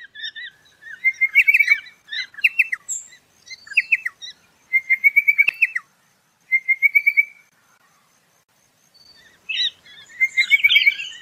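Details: Pardalote, a small bird said to live in lower ground close to water, giving clear trilled phrases of quick repeated notes with pauses between bursts, plus a few sharp chips.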